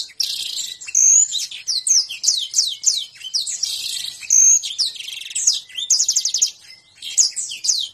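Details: Canary song: a high, continuous stream of rapid chirps, downward-slurred whistles and buzzy trills, with short rolling bursts and brief pauses.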